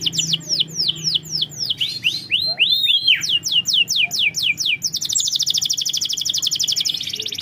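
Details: Lure song of a canary for prompting a reluctant singer: repeated falling whistles, a run of looping rising-falling notes, more quick descending sweeps, then a long fast high trill.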